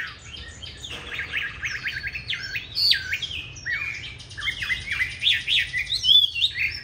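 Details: Hwamei ('Lục Đậu' eye type) fighting song used as training material for other birds: fluent loud whistles with looping, up-and-down slurred notes in quick varied bursts, brief pauses between phrases.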